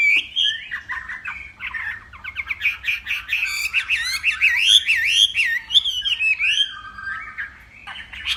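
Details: Hwamei from Northwest Vietnam in a morning singing contest, voice-training song: a long, rich run of varied whistled notes, quick slurred loops and trills sliding up and down, with a brief pause near the middle.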